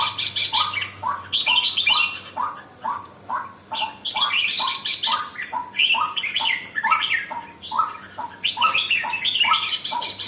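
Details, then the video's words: Red-whiskered bulbul just coming into lively form, pouring out a fast run of short upslurred chirps paired with higher bubbling twitters, almost continuous over ten seconds with brief pauses. "sora burung jambul baru nak galak"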